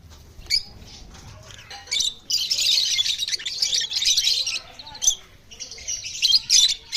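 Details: A pair of lovebirds giving high, harsh chattering and squawking bursts, a long run of rapid chatter in the middle and sharp short squawks near the end.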